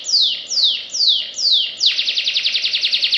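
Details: Four loud, slow, downward-slurred whistles from a canary, followed by a fast, tightly repeated trill of short descending notes, sung in the rapid nembak style.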